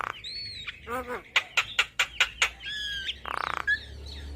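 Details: Javan myna, recorded as song for training cage birds: a varied mix of whistled, slurred notes, a burst of short harsh squawks and a buzzy, rattling phrase, with faint background hum.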